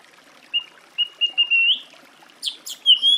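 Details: Song thrush singing a series of level whistled notes that run into a rising slur, then high chirps and a loud, sustained whistle at the end.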